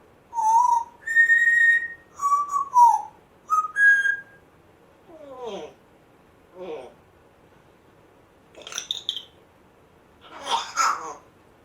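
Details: Rescued African grey parrot indoors, a month after rescue, gives a series of clear whistles, some level and some falling, then rasping, creaky squeaks and noisy bursts. A person says "come on" afterwards.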